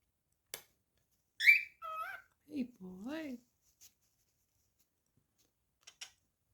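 A cockatiel gives a bright falling whistle, then warbling, speech-like phrases between a few clicks.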